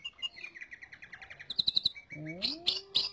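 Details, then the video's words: Lesser green leafbird song for tutoring other birds: a rapid series of repeated chirps, then sharp clicking notes, followed by rising whistles and loud high bursts. "Suara Burung Cucak Ijo Untuk Pemasteran"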